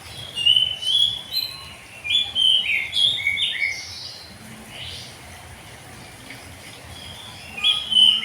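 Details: Morning ngeplong song of an oriental magpie-robin: clear, varied whistles and quick slurred notes come in bursts, a quieter gap in the middle, then loud whistling returns at the close.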